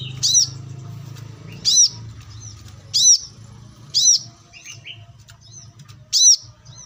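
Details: Sharp, ringing high chirps of a wild brown-throated sunbird, spaced roughly one to one and a half seconds apart, over a continuous low hum and faint twittering.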